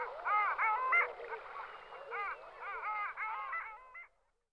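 Long-tailed duck giving nasal, yodelling calls in quick rising-and-falling bursts, several notes a second, with overlapping voices suggesting more than one bird.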